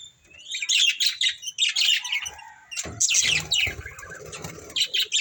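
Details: Budgerigars of a breeding pair warbling in rising and falling squeaky whistles and chirps, near continuous, with light rustling or tapping sounds underneath.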